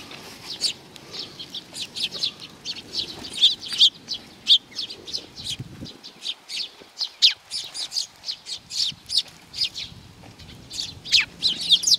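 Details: A flock of sparrows coming for food at a shrine in Nakanoshima, 7 June 2020: continuous lively chirping, many short sharp notes from several birds, with faint low background noise.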